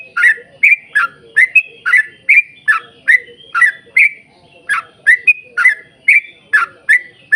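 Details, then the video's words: Long 'ropel panjang' gacor song of a yellow-vented bulbul, meant to make other bulbuls sing: a steady chain of about eighteen bubbly, slurred notes, roughly two per second, without pause. "trucukan gacor ROPEL PANJANG buat pancingan trucukan agar bunyi"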